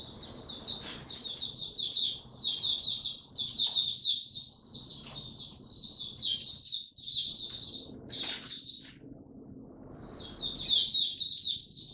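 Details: Hobby-kept white-eye recorded in Singapore on 31 July 2023 as it resumes singing: long runs of rapid, bright twittering notes in bursts separated by short gaps, with occasional sharp knocking clicks.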